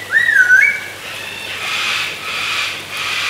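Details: A palm cockatoo (Probosciger aterrimus) that can whistle gives one clear, swooping "peoo" whistle that dips and then rises, lasting under a second; soft hissing noise follows.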